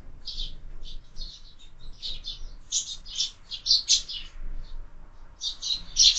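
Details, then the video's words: Busy morning chirping from sparrows at a window feeder, short high notes repeated irregularly, about one every two seconds at first, then denser bursts toward the close. "Воробьи в кормушке - утро всегда бойкое"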